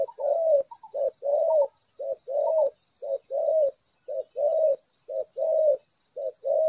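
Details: Repeated cooing of a spotted dove at a trapping site, alternating brief and longer hollow notes in a regular rhythm of roughly one phrase per second, with a thin electrical whine behind.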